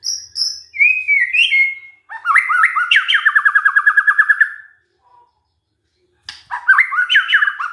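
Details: White-rumped shama song used as a lure for other shamas: high whistled notes, a rising slur, then a rapid rattling series of about a dozen repeated notes, and after a pause more varied looping whistles.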